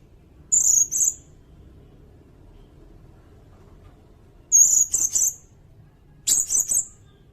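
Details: From a training recording for songbirds, a sirindet gives three short phrases of high, slightly buzzy doubled and tripled notes, with pauses of one to three seconds between them.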